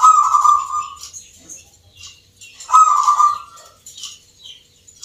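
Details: Caged local perkutut (zebra dove) singing at a Yogyakarta, Indonesia contest judged on Nglagu Ngepat Mentaraman rhythm: two loud, rolling, slightly falling coos about two and a half seconds apart, with sharp high chirps from other birds.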